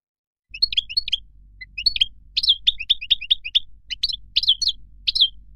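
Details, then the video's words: Moroccan goldfinch giving a loose sequence of sharp, high chirps and short twittered figures, spaced irregularly, over a low background hum. "تغريد مقنين مغربي"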